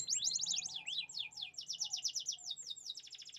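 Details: Canaries chirping in rapid high trills, strings of quick sweeping notes run together, with faint low cooing beneath.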